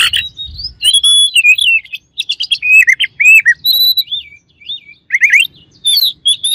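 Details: Oriental magpie-robin (kacer) singing as a rival bird meant to provoke aggression: a rapid, varied run of clear whistles, sweeping slurred notes and short trilled chirps, high-pitched and continuous with brief pauses.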